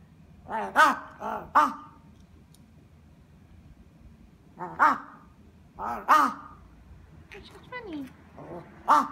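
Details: Crow filmed in Japan, friendly with a person: harsh caws in small bursts of two or three, separated by silent gaps of several seconds, with a few softer nasal notes between bursts.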